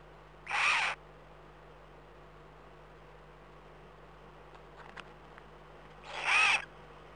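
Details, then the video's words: Eurasian eagle-owl in the Eifel, recorded at 03:39 at night on 11 April 2012, giving two loud, breathy, hissing wheezes about five seconds apart, each under half a second long, with faint clicks between them. "eifel uhu-wheeze"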